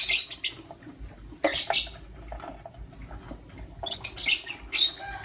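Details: Caged Lutino lovebirds, a male among two females as he picks between them, in the morning: clusters of shrill, scratchy chirps, a burst at the start, another mid-way, then rapid repeated chirps near the end.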